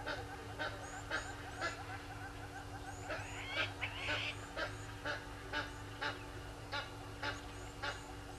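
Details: Helmeted guineafowl at Gowrie dam waterhole, Djuma Game Reserve, Sabi Sand Wildtuin, South Africa, 06:30 on 18 July 2020, from a live waterhole camera: harsh, honking broadband notes repeated about twice a second, with a brief whistled bird call midway and a steady low hum.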